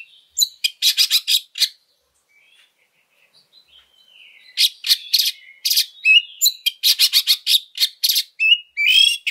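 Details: Oriental magpie-robin in fighting-style song with harsh fill-ins, used as a lure for other birds: loud rasping trills and chattering bursts high in pitch, a near-silent gap of about two seconds, then dense scratchy phrases mixed with thin whistles.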